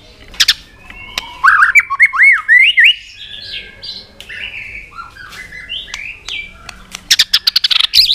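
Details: White-rumped shama roused to fighting song, delivering rich whistled phrases that swoop up and down, loud slurred notes in the middle and rapid sharp clicks toward the end.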